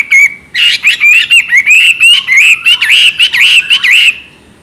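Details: Chinese hwamei singing in the energetic, continuous style called ngoceh: a loud run of clear whistled notes, first level, then swooping and looping up and down in quick succession, ending in a soft fading tail.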